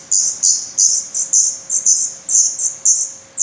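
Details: Famished Black Redstart young beg from their nest in Portugal on 17 May 2020, down falling from new feathers. Loud, piercing high chirps come in quick pairs and triplets, roughly two bursts per second.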